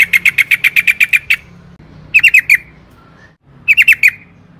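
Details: Yellow-vented bulbul in lively 'gacor' lure song: a quick series of nine sharp repeated chirps, then two short bursts of four bubbly descending notes separated by pauses, faint low hum behind.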